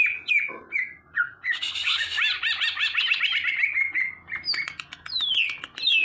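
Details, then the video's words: Burung ijo, a leafbird, pours out a long rapid trill of repeated chirping notes after a few clear whistled calls, ending with high descending whistles. "kicauan burung ijo"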